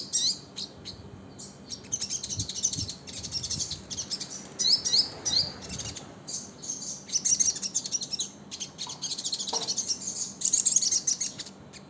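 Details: Sogon with mottled plumage, an untrained young prospect, giving a long run of high thin chirps and twittering notes in irregular bursts over steady low background hiss.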